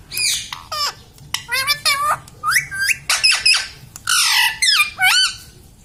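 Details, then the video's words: Pet ring-necked parakeet mimicking words like "mummy", "papa" and "radhe radhe": a rapid series of raspy, speech-like syllables with sliding, wavering tones, loud and close in a small room. "parrot talking mummy"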